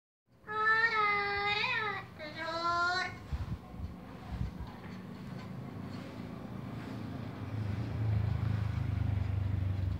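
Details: A parrot in Colombia sings two drawn-out, voice-like melodic phrases copied from the hymn "Alabaré", then falls silent as traffic rumble and street noise take over.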